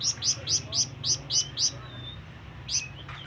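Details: ['Flamboyan bird call used to summon companions or rivals: six crisp, high, evenly spaced chirps in quick succession, a faint thin whistle, then one more chirp after a short pause.']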